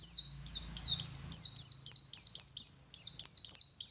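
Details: Local Garut dakun Oriental white-eye of West Java repeating a high, thin, falling chirp about three to four times per second in a steady wit wit series, with a brief low hum at the start.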